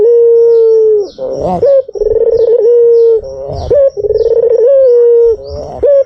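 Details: White Barbary dove calling as a lure: long, low, steady coos with a rolling, pulsed start and a short upward flick, repeated about every two seconds.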